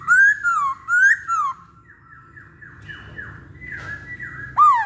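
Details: Masked laughingthrush, known locally as poksay Hongkong, in a pancingan recording. Loud rising-and-falling whistles come in quick succession at the start. A softer run of descending slurred notes follows, then one strong whistle closes it.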